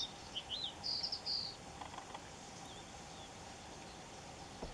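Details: Red-throated pipit recorded in Cyprus: a few thin, high notes, then a short run of buzzy, drawn-out calls lasting about a second, over steady background noise.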